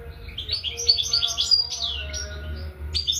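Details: European goldfinch singing a bright, tinkling twitter of quick liquid notes and short trills, high and varied, over a steady low hum.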